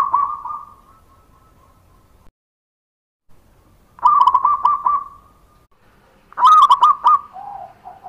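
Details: Zebra dove, a local perkutut, giving a lure song to draw replies from other doves: long steady cooing hum, then a pause, then two loud stuttering coo phrases, the last dropping to a lower tail.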